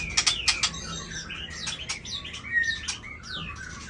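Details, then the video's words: White-rumped shama in a singing contest against another bird: a few loud, sharp clicks open a flowing string of whistled notes, some sliding downward, with quieter chattering phrases in between. "Murai Badheuk Ekor 24 Gas lawan SMBF Ladong"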